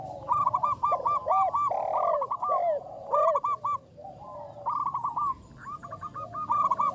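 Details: Energetic local zebra dove kept as a lure, with a big voice, alternates bursts of quick clipped coos with a few fuller drawn-out notes, singing almost without pause.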